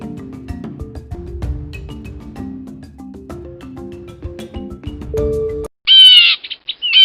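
Mallet-percussion music plays first, then a Blue Jay gives a loud, harsh, slightly nasal jeer in two short bursts near the end.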